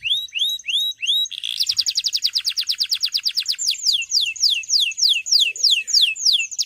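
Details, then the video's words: Male canary singing strongly, used to stimulate young birds: a few rising chirps, then a dense fast trill, slowing into long repeated downward-slurred whistles at roughly three per second. "Cuit Cuit Kenari Memanggil Lawan"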